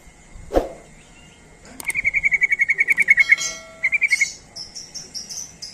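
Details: Sooty-headed bulbul lure call used to draw other bulbuls: a fast, even run of bright chattering notes lasting about a second and a half, then a shorter burst, with scattered higher chirps and a dull knock before.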